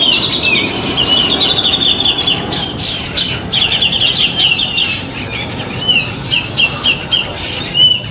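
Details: Grey-cheeked bulbul (cucak jenggot), a caged bird at a community songbird contest on 27 September 2020, where it won two sessions with a penetrating voice and tight, high 'ngepik' phrasing. High, clear whistled phrases waver and repeat, broken by bursts of other birds' chatter.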